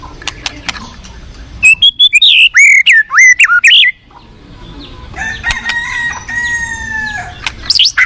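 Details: Wild forest white-rumped shama delivering a burst of loud, rapid whistled notes, sweeping up and down, followed by other quieter bird whistles and clicks against a constant rushing hiss.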